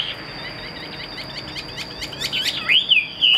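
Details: Chinese hwamei held in a cage as a fighting bird: a long run of dry clicking ticks builds into a few rich swooping whistles at the end, with a steady high electronic whine throughout.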